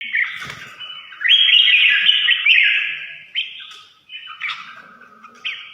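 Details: Red-whiskered bulbul singing a run of clear whistled phrases. The notes are sustained and slurred, with brief rising and falling inflections and short gaps between phrases. There is little background sound.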